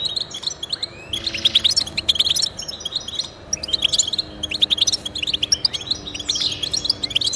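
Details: Twittering European goldfinch song meant to motivate caged goldfinches to sing: bursts of quick high chirps and liquid trills separated by short pauses, over a faint steady low hum.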